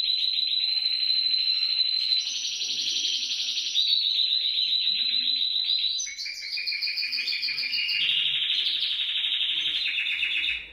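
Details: Canary singing to prompt canaries into song, long continuous trills stepping between pitch levels, rolling and buzzy, over ten seconds without pause.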